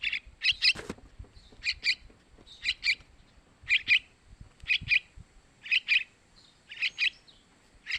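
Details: Young yellow-vented bulbuls calling for food, a sound used as a lure for males: scratchy paired chirps repeated roughly once a second, with a faint rustle or flutter near the start.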